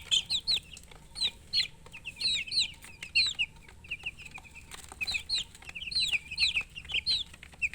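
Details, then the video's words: Young chicks giving bright, high cheeps in clustered bursts separated by short gaps, some peeps sharply downslurred, over soft rustling and a low background hum. "MURGI Baby "Chicks Chirping" Sound"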